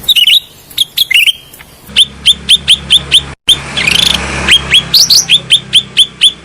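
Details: Bulbul (cucak rante) lure and therapy song: loud, sharp chirps with a downward flick, repeated steadily about three times a second, briefly broken by a burst of harsher chatter midway.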